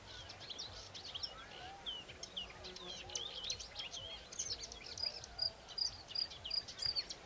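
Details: Bluethroat lured in by playback of recorded song, displeased by the stranger's song and flying in to confront it; a fast, varied stream of high twittering, buzzy and whistled notes, ending in repeated sharp ringing notes about twice a second.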